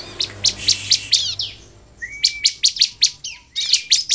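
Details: Bar-winged prinia song meant to draw other prinias into singing: a series of evenly spaced piercing chirps, a quiet stretch broken by a thin rising whistle, then another quick string of sharp high notes.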